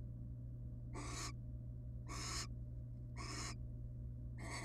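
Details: Wild barn owls resting together as a family in a research nest box; four long, raspy snoring hisses roughly every second, fairly loud, with a low steady hum underneath.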